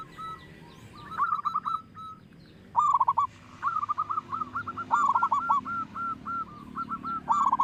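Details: Local zebra dove with a big voice, used to lure other doves into song: short phrases of clipped, hooked cooing notes, some rolled together, repeated with brief pauses and building into a long, even series.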